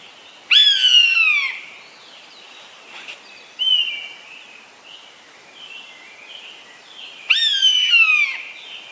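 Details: Eastern buzzard calling: two loud, drawn-out descending mews spaced roughly seven seconds apart, with a softer, shorter call between them and faint high chirps from small birds in the background.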